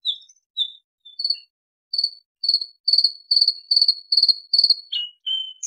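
A Bluethroat sings a few high whistles, then a speeding run of about ten ringing, metallic notes, ending on a sliding whistle.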